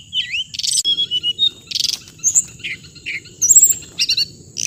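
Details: Bird song of the hồng hạnh: clear whistled notes with swooping upward and downward slides, short rasping bursts and quick chips, in phrases under a second long. A steady high insect whine and a low rumble continue underneath.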